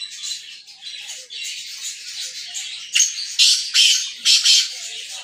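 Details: Black francolin in Sindh giving coarse, scratchy squawks. Softer rasping notes build into a series of about four loud, harsh bursts near the end over constant background hiss.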